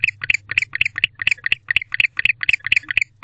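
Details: A male barn owl calls to his mate after coming back to the owl box at night in late October. He gives a chattering run of doubled raspy notes, about four per second, with a steady low hum beneath.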